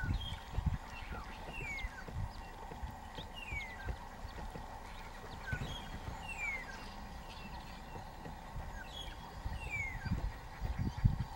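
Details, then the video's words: White-faced whistling ducks give thin, clear whistles sliding downward, repeated every second or two, over low thumping and knocking noises. "White Faced Whistling Ducks"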